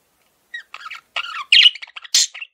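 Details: Pet male parakeet calling in short broken bursts of squeaky, buzzy chirps that grow louder, ending with a piercing high squawk and a brief warble.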